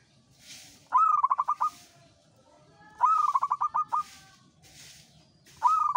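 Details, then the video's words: Local zebra dove in active 'uraa' style song: three phrases, each opening with a rising note and running into rapid pulsed coos, separated by soft breathy hisses. "SUARA PERKUTUT LOKAL URAA UMUM GACOR NGAYER"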